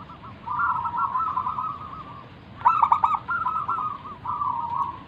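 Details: Actively singing local zebra dove from the wild, offered as a lure for other doves; a sustained purring trill, then a louder clipped burst of rapid notes near two and a half seconds and further trilled coos.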